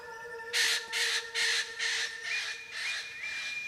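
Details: Eclectus parrot in a monsoon rainforest patch of northern Australia gives harsh, raspy squawks in a quick series, about two per second, then a drawn-out grating call, over a faint steady humming tone.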